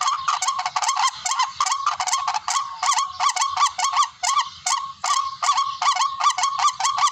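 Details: Barred rail (tikling) hunting-lure calls: a fairly regular string of loud, grating, honking notes, about two and a half per second, grouped in short bursts with small gaps.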